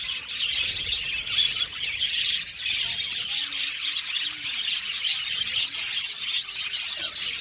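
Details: Chatter from a budgerigar colony in an aviary: many birds at once producing a steady wash of high twittering and warbling, with occasional louder squawky chirps standing out.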